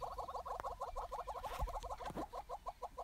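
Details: Wet southern yellow-billed hornbills courting together on a bare branch after rain, bowing: a quick stream of clucking notes, slightly uneven in rhythm, spacing out toward the end, with soft rustling and a low thump.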